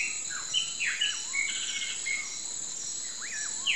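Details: Sunset song of the common pauraque: a few whistled notes, each swooping up and then curving down, among brief downslurred bird chirps and a continuous high insect drone.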